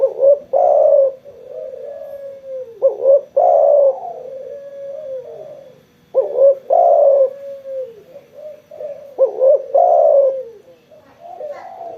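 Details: Spotted dove calling vigorously after being sunbathed, giving three full cooing phrases about every three seconds: a short double note followed by a loud, rolling coo that trails off into a long, soft, falling tail.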